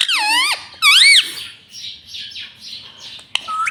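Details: Pet green ringneck parrot giving two loud, shrill, wavering talking syllables in quick succession, followed by quieter, scratchy chatter and a soft background murmur.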